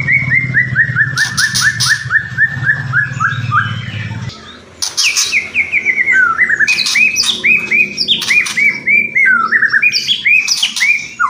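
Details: White-rumped shama pouring out kretekan and whistling: a long descending series of quick whistled notes, then varied looping whistles rising and falling, punctuated by crackling rattles, over low background hum at first.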